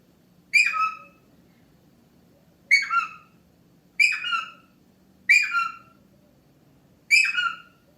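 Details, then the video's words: Pet Indian ringneck parakeet indoors doing its occasional peekaboo noises; five identical harsh, two-part squawky calls, each a bright note sliding down to a lower one, repeated roughly every two seconds in a quiet room. "Indian Ringneck Peekaboo's and Makes Silly Noises"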